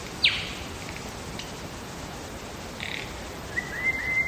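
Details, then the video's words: Wild lyrebird in Megalong Valley, Blue Mountains, Australia, giving a sharp falling whistle, a soft clipped note, a short buzzy burst, and a thin sustained whistle near the end amid quiet background hiss. "Lyrebird song"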